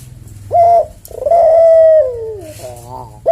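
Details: Javanese collared dove, a caged bird, cooing in the slow senggang style as a tutor recording: one short coo, then a long drawn mellow coo that falls at the end, followed by a trembling, rolling note, indoors with a low hum beneath.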